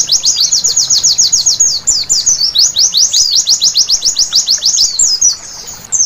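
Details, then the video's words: White-eye (pleci) at night, singing in a sound meant to get birds singing: high, thin, downward-sweeping notes delivered in fast regular bursts, interrupted twice by brief scrambled twitters. "Terapi Pleci Malam Hari Bikin Gacor seketika!!!"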